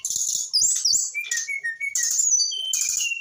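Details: Young brown-chested jungle flycatcher, eight months old, giving rock n roll style song. Harsh buzzy high bursts alternate with short, clear, lower whistled notes in a quick, varied sequence, plus faint soft clicks.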